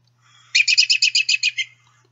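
An American Robin's whinny: a quick run of about nine high, squeaky notes packed into just over a second, like a tiny horse. A faint low hum runs underneath.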